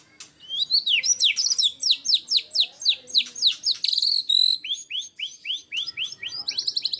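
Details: White-rumped shama in energetic 'gacor full tembakan' singing, a rapid volley of sharp downslurred whistled notes, many per second, with a few higher sweeping phrases mixed in.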